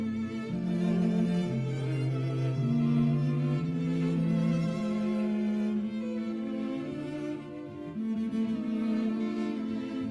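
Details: A slow bowed cello melody with sustained low notes plays throughout, and no animal sounds can be heard.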